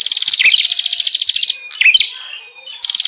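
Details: Bar-winged prinia giving the busy 'ribut' lure call meant to attract wild prinias: a steady, fast pulsed buzzing trill for over a second, a few sharp downslurred chips, a pause, then the trill resumes.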